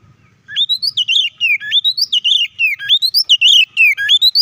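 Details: Oriental magpie-robin delivering an energetic fighting song meant to rouse other magpie-robins: a continuous run of rapid, high whistled phrases, each sweeping upward then sliding down, packed closely with barely a break.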